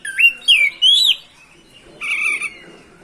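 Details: Oriental magpie-robin (kacer) song used to provoke rivals: three rising slurred whistles in quick succession, a pause, then a longer buzzy harsh note.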